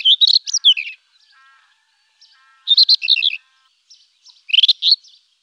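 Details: Three lively phrases from a rufous-tailed scrub robin, each a fast tumble of clear, piping notes lasting under a second, separated by short pauses with faint softer notes in between.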